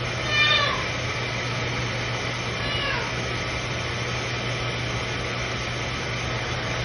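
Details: A male pet macaw, late at night and said to be trying to impress his female with his vocals, gives a short, harsh, falling squawk, then a fainter second call about two seconds later, over steady household hum.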